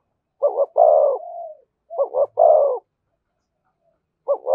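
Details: Spotted dove cooing in thổ style with thúc and kèm: two clear phrases of two short rising notes plus a long rolling coo. The first trails into a softer hoot, and a third phrase begins at the end.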